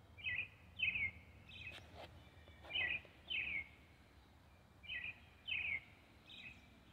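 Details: European robin singing an early evening song: short, bright warbled notes in pairs, repeated every second or two, over a soft low background hum.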